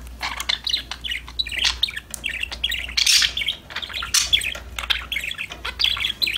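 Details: Several budgerigars sing and talk to each other in a steady, bubbling chatter of rapid chirps and warbles. Brighter squawky bursts come at about three and four seconds.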